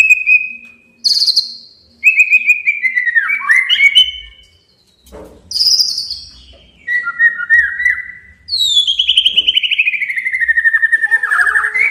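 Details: Male white-rumped shama song used to challenge a rival and provoke it into singing: long clear whistles, some held steady, others sliding downward, broken by short chattering bursts and a long descending buzzy trill at the end.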